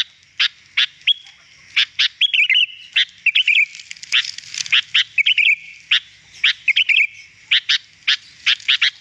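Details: Wild-bird lure of a sooty-headed bulbul: lively, rapid sharp chirps mixed with recurring short trilled, wavering phrases, almost continuous throughout.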